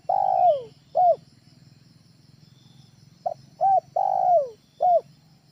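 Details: Spotted dove lure call for use at home: long falling coos paired with short arched notes, the phrase repeating after about three seconds, with a low pulsing hum in the background.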